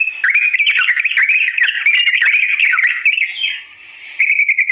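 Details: Sooty-headed bulbul giving an extended slow song, recorded as a model for young birds to copy: continuous twisting warbles with scattered sharp clicks, fading to a soft pause before a short bright burst resumes.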